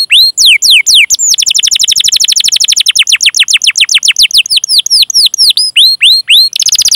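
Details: Canary song used as a training recording to prompt other canaries to sing, a long cuit-cuit rolling style: fast, loud, repeated high downward-sweeping whistled notes, about four per second, speeding into a rapid roll in the middle.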